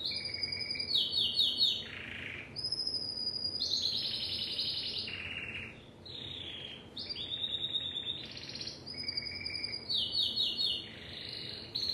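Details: Timbrado canary song of varied trilled phrases: falling chirp series, buzzy rolls dipping lower, and high rolling trills, repeated and recombined over twelve seconds.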